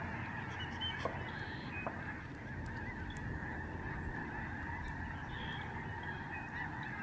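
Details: Migratory Lesser Snow Geese, thousands strong, in the sky over a Canadian sanctuary in November 2011, producing a steady dense chorus of yelping honks, with occasional higher, clearer individual calls above the din.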